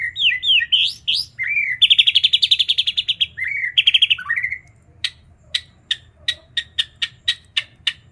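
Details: White-rumped shama kept as a hobby bird, singing an isian (filled) song with katem and cak janggot phrases: varied whistled slurs, a fast rattling trill, then sharp clicking notes repeated about twice a second, over low hum.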